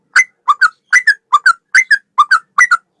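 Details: Male sooty-headed bulbul singing in a style resembling the straw-headed bulbul, used as a training recording for songbirds: paired bubbly whistled notes, the first rising and the second falling, repeated about every half second in a quiet setting.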